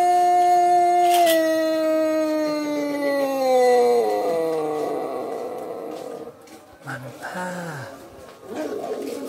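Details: A Pelung rooster of pejet colouring gives a long, drawn-out crow, one sustained tone that slowly slides lower for several seconds; chicken.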